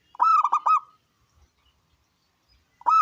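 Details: Strong-voiced local wild zebra dove used for luring other doves to sing: one loud rolling coo phrase of three quick notes, then near silence, and the start of the next phrase at the end.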